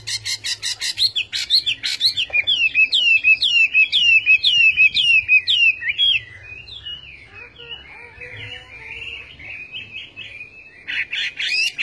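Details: A Chinese hwamei sings a steady series of repeated slurred whistles, roughly two per second, then shifts into quieter, more varied warbling before a final sharp burst of notes.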